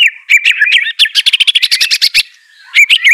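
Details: Song of a white-rumped shama, played to coax a quiet bird into singing: warbled whistles leading into a rapid run of about a dozen harsh, broad chattering notes, brief silence, then more whistles.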